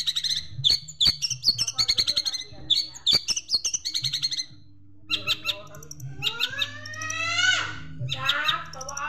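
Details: Long-tailed Shrike master training recording with sparrow imitations: clusters of sharp clicks and chirps, then rising and falling slurred whistles and buzzy trills, with a steady low hum throughout.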